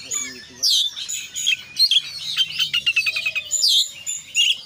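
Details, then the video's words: Oriental magpie-robin singing konslet style with full isian: bright whistled slurs, then a fast train of about a dozen evenly repeated clipped notes, followed by more ringing whistles. "kacer gacor KONSLET full isian"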